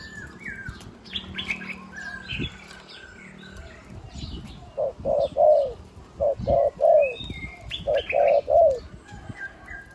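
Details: Spotted dove decoy with a deep one-kuk voice: after several seconds of rustling and bird chatter, a run of short hollow low coos begins and continues in quick groups, small birds calling above.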